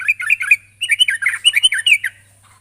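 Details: Sooty-headed bulbul calling a rival: two quick bursts of rich, gurgling, slurred notes separated by a short gap, bright and fluty with a thin high whine in the background.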